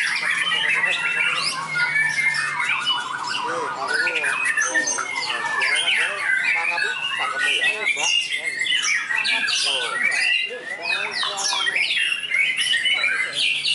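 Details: Contest-trained white-rumped shama in a field trial, prized for its lavish borrowed song content: a long, dense stream of shifting whistles, rattling trills and buzzy notes, changing phrase every second or so, with faint voices and other birds behind.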